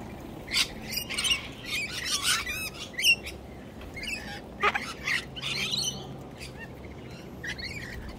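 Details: Sulphur-crested cockatoo gives harsh, raspy squawks in short bursts, about one every second, against a faint outdoor background.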